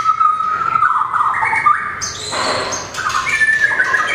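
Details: Small long-tailed white-rumped shama in competition singing: loud clear whistled phrases, first low and level, then jumping to higher notes, delivered in a varied flowing series.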